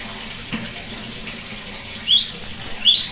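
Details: A cinereous tit song, played as therapy for tits that have stopped singing: after a quiet stretch of soft, watery hiss, a quick burst of high, thin chirping notes, about five in a second.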